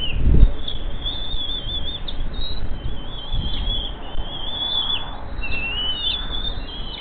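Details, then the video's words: Hungry bald eaglets begging at the nest as the adult male arrives with a bird, morning of 10 May 2023; thin high piping whistles run almost continuously, wavering and slurred, over low rumbling wind noise. "Dad in with a Bird Hungry H19 H20 Eaglets Go for it !"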